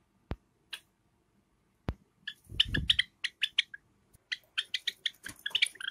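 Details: Two pet Java sparrows, a light silver ino and a sakura bird, in summer: scattered short bright chirps that quicken into a run of sharp repeated tweets, with a few dull knocks and a thump.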